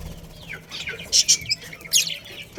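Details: Budgerigars, a breeding pair in a colony, give a few brief high chirps and short squeaky notes, with soft background hiss between calls.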